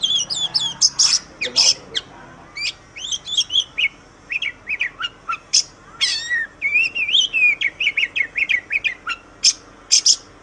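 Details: Oriental magpie-robin (kacer) master song for training captive songbirds: rapid, varied whistled phrases of sharp upslurred and downslurred notes with chattering trills, bursts coming about every half second without pause.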